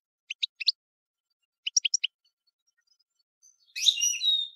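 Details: European goldfinch utters two short groups of four or five clipped, tinkling notes, then a longer, dense, buzzy twitter rich in harmonics.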